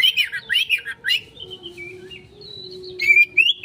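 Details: Oriental magpie-robin (kacer) singing 'konslet' as a lure: rapid, loud, chattering whistles in quick bursts, a long softer stretch with thin notes, then renewed sweet whistled phrases. Low humming tone throughout.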